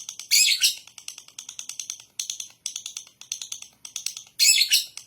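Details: Lovebird singing in the ngekek style: bursts of harsh, rapid chattering notes, high-pitched and buzzy, with loud opening and closing phrases and softer repeated ticking between.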